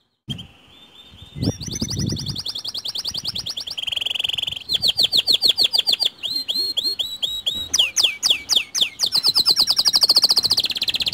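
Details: White canary song meant to draw other canaries into singing: a long varied sequence of fast trills, buzzy rolls and sweeping whistled syllables, with a brief low thump near the start.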